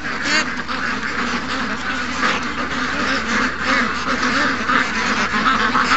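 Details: Young ducks in a morning rush among more than 700 ducks and geese, recorded August 7th, 2015: a dense, continuous chorus of overlapping raspy quacks and honks with no clear gaps.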